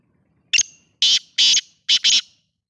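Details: Black francolin calling: a short sharp opening note followed by four loud, harsh, grating bursts in quick succession, the last two closely paired, with silence between.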